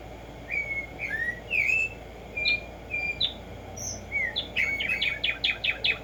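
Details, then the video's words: Black-striped sparrow (Arremonops conirostris) song in nature: a series of separate clear whistles, some rising, some falling, speeding up into a fast, accelerating run of bright repeated notes at the end. "HACER TRINAR a Tumba Yegua"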